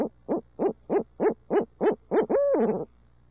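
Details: Urbanized barred owls in Midtown Tulsa, part of a long hoot fest: eight rapid rising-falling hoots about 0.3 s apart, ending in a drawn-out arched hoot that trails off, quiet steady hum underneath.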